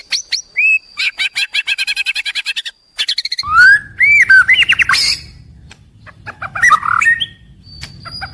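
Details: White-rumped shama in daily song used to keep birds singing morning to evening: a long rapid run of repeated scratchy notes, then swooping loud whistles and harsh buzzy bursts, with softer chatter at the end.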